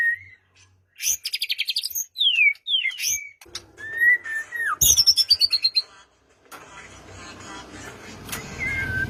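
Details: White-rumped shama song used to trigger a quiet bird to sing; varied phrases of rapid trills, slurred whistles and sweeping notes, followed by a stretch of broadband rustling noise.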